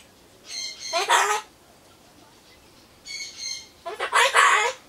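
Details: A pet Solomons corella mutters to itself while waiting for its pumpkin, voicing phrases like bye-bye, I'm off. Two bursts, each a thin nasal syllable leading into a loud, hoarse, broadband squawk-like word.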